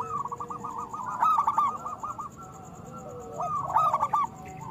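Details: Local zebra dove with a big voice, played to coax quiet doves into song: a long rippling run of quick coos, a pause, then a shorter bubbling burst with a fainter drawn-out note beneath.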